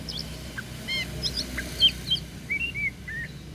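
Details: Oriental magpie-robin (kacer daput) giving a loose string of soft chirps and short whistled notes at a steady pace, some quick upslurs, others flat, over a faint low rumbling background.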